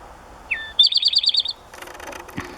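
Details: At sunset in a backyard, an Eastern Towhee sings one slurred falling note, then a quick ringing trill of about seven high notes, followed by soft rustling and clatter.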